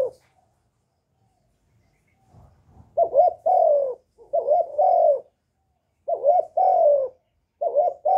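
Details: Spotted dove lure bird cooing to stir new captive doves, recorded close. A faint rustle comes first, then four mellow phrases, each a quick double note followed by a longer coo that drops in pitch.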